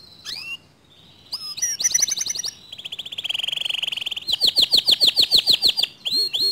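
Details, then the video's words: Canary singing a song said to provoke other canaries into singing: varied high phrases, a slurred whistle, a buzzy trill, then a fast run of rapid repeated notes, each section switching abruptly to the next. "Suara Kicauan Kenari ini Sering Kali Memancing Emosi Kenari Lain Agar ikut GACOR DOR"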